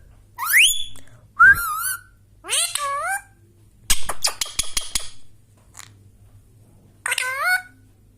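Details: An Indian Ringneck parrot whistles naturally with rising, harmonic calls and one wavering note, interrupted by a rapid series of sharp clicks near the middle, with a final upswept call at the end.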